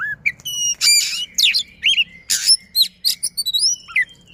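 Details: Oriental magpie-robin singing at a fast pace, used to prompt silent magpie-robins into song: twisting whistled slurs mixed with harsh buzzy bursts and thin high notes, over a faint low hum.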